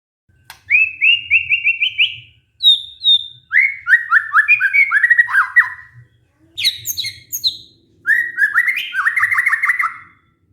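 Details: White-rumped shama pancingan, a lure song for birds silenced by stress: short bursts of rapid upslurred notes, a pair of high whistles, tumbling downslurred phrases, sharp high chips and a closing fast warbled trill.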